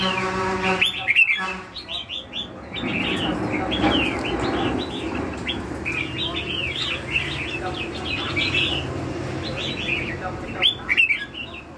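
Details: Red-whiskered bulbul, lân hầu bò song: many quick whistled chirps and slurred notes spread through the recording, with brief flapping or handling noises and a low background drone.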